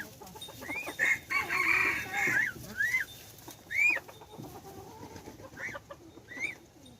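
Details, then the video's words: Third-generation hybrid decoy rooster, domestic crossed with wild red junglefowl, recorded 10/1/2021: a loud harmonic crow around the two-second mark amid repeated short arched chirping notes from other birds and faint background noise. "ไก่ต่อลูกผสม Qaib Dib Txuam Qaib Qus Tom 3 Zoo Nraug Qua Zoo heev"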